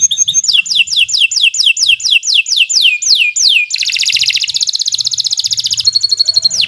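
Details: Masteran tutor song of a canary in nonstop 'gacor' style: about a dozen rapid falling whistled sweeps, then a dense buzzing trill, ending with a sharp rising note.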